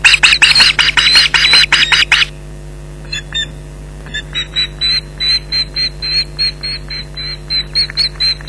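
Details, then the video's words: Ospreys at the Loch Garten nest in July 2011 calling against an intruder; a loud dense burst of overlapping shrill cries, a brief lull, then steady repeated high yelps at a brisk pace. "Intruder Alert"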